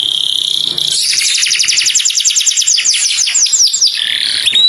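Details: A canary calls its companion with a clear voice. A brief high note opens a long, rapid, ringing trill of evenly spaced notes that slows toward the end before a final thin whistle.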